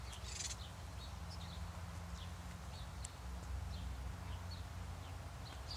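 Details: House sparrows feeding, a brief burst of louder chatter at the start followed by scattered single high chirps, over continuous low hum.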